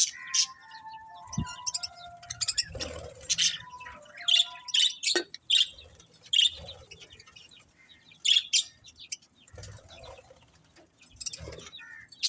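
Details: Budgerigars chirping: a busy mix of short high chirps and warbled notes with a few steady whistled tones, bursts coming every second or so.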